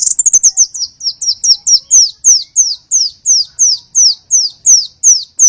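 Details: High, thin downslurred whistles repeated steadily about three times per second, loud and clean, with faint clicks between. A small-bird call used as a lure to draw in small birds.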